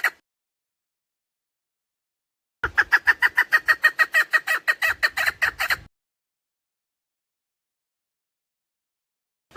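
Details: Female chukar partridge lure call for hunting: after silence, a single burst of about twenty quick, harsh clucking chuck notes lasting around three seconds, then silence again.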